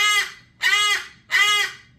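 A cockatoo gives three harsh, raspy squawks, about one every 0.7 seconds, a rough attempt at a chicken's cluck. The room is otherwise quiet.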